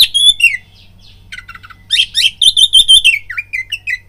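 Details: Oriental magpie-robin lure song used to stir fighting urge: a whistled phrase, soft twittering, then a fast string of loud repeated whistled notes ending in short dipping slurs; faint hum beneath.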